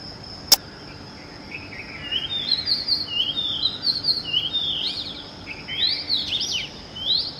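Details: Early-morning song of an Oriental magpie-robin: after a sharp click and a quiet start, it gives a rising series of bright, peaked whistles that grow louder and faster, with a thin constant high hum throughout.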